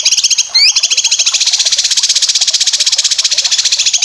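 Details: Cucak kinoy besetan song for competition bird training: nearly continuous high, fast, pulsing chatter of regular buzzy notes, interrupted early by a single rising swept whistle.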